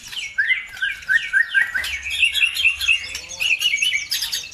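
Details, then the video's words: Songbird lure recording meant to provoke other birds into singing: descending whistled slurs repeated about every half second, then a busy stream of bright chirps and trills from several overlapping birds, with a faint low hum underneath. "PANCINGAN SUPER AMPUH CUKUP HITUNGAN DETIK LANGSUNG NYAUT BIKIN EMOSI BURUNG NAIK IKUT GACOR"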